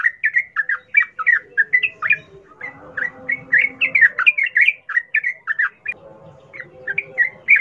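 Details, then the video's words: Sooty-headed bulbul in the wild-style ngalas song, used to prompt captive bulbuls to sing: lively, continuous run of short whistled, bubbling notes, rapidly repeated with brief pauses near three and six seconds, faint low background chatter. "Trucukan gacor NGALAS ropel Khas alam liar ini ampuh untuk pancingan trucukan agar bunyi GACOR"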